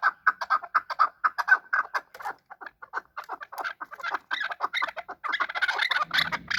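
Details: Chukar partridges in a fight, kept as a hunter bird: quick repeated clucking chuck notes, irregular at first, then a louder, denser burst of overlapping calls near the end with a low thump.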